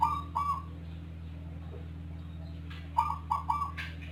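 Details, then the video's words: Zebra dove said to sound unlike local or Bangkok birds and to coo diligently for long spells, often before dawn: short bursts of trilled, mellow coo notes at the start and again near the end over a steady low electrical hum. "Perkutut Rondosemoyo suara aneh rajin manggung durasi panjang"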